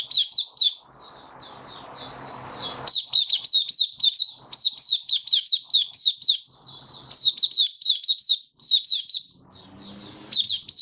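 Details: Caged white-eye in full song on 23 March 2022 as its nutrition was adjusted for warm humid weather: long, rapid sequences of high, squeaky twitters, about four notes a second, with intermittent low clattering.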